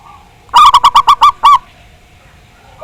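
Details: Song of a local Javanese zebra dove (perkutut), played to prompt another bird to sing: a loud run of seven rapid, clipped coo notes, the last one longer, in a quiet background.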